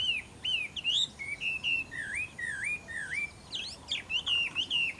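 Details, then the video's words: Song of a Taiwan hwamei at Caonanpo in April 2016: fluid whistled phrases of rising and falling slurred notes, some dipping low then climbing, delivered in a continuous varied sequence. "草湳坡 台灣畫眉"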